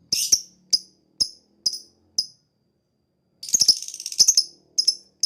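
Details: Lovebird ngetik used as a lure to draw replies from other birds: five spaced sharp ticks, a second of silence, then a dense rasping chatter burst and a few closing ticks.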